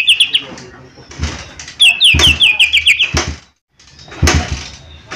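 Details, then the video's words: Rapid, descending whistled notes from a lesser green leafbird, called cucak ijo mini, open and then return as a fast chattering run of about eight notes, broken by knocks and clatter. "Cucak Ijo Mini Gacor 💯 Pancingan Paling Cepat Bunyi/Respon"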